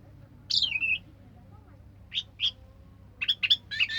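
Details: Anis merah singing in 'teler' style: a falling slurred whistle, a pause, two short chirps, then a fast cluster of harsh varied notes, fairly soft against a low hum.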